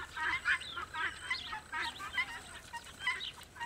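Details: Farmyard recording of a rooster with his chicks: clustered high chirps and peeps, some clucking notes, irregular bursts over steady background hiss.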